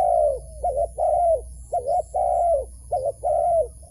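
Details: Wild dove being lured toward a trap: low hollow cooing notes, a short doubled coo alternating with longer drawn-out coos that slide downward, repeated about once a second, over faint low background hum.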